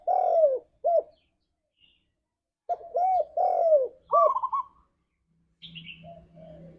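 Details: Spotted dove, called tekukur, heard as a lure to get pet doves singing in the forest-like 'ngalas' style; two cooing phrases of hollow, rounded coos with a short trilled lead-in, separated by a pause, and a faint chirp at the end.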